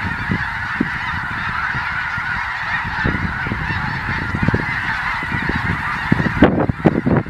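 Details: Circling snow goose flocks about to land near a mine southeast of Colonsay, Saskatchewan, 12 October 2020; countless overlapping nasal honks form a constant chorus, with wind thumps throughout and a louder gust near the end.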